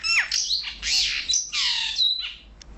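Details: Pair of Brahminy starlings, male and female, in Kuwait, giving a loud, dense tangle of squeaky, slurred and grating notes with sweeping whistles, nearly continuous for under three seconds.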